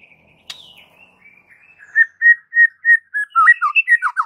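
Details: Raging white-rumped shama master song for fight training: faint thin whistles, then loud clear whistled notes repeated about four times a second, turning into rapid varied slurred whistles.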